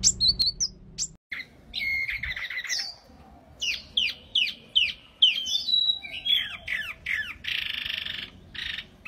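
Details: Wambi mini, a small bird singing vigorously: a busy run of high squeaky chirps, whistled notes and buzzy bursts in irregular phrases, with brief pauses between bursts and a soft low hum beneath.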